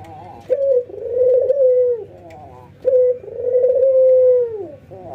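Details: Two ringneck doves, one white albino and one local, trained routinely and cooing with nods and laughter: two low phrases, each a brief choppy start followed by a steady drawn-out note that drops at the close.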